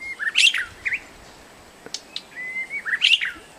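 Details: In a protected forest, a White-rumped shama delivers two matching phrases about 2.5 seconds apart, each a level whistle leading into a bright rich flourish, with a few sharp ticks between.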